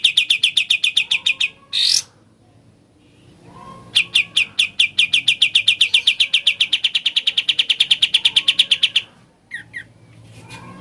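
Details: Ngebren song from a sooty-headed bulbul: rapid high chirps, a harsh burst, a pause, then a long sustained run of fast, closely repeated notes lasting about five seconds, ending with a few faint calls.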